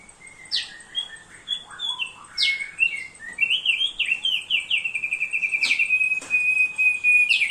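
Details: Thick-billed heleia singing constantly, a suitable training master: falling whistled slurs open the phrase, then an accelerating chain of sweet, bouncing chirps that ends in a sustained trill.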